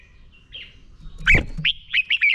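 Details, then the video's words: Red-whiskered bulbul fighting song used in training. Soft warbling leads to a loud knock, then a series of short, bright, clipped whistled notes close together. "Chào Mào Hót Đấu Kích Bổi Lên Lửa"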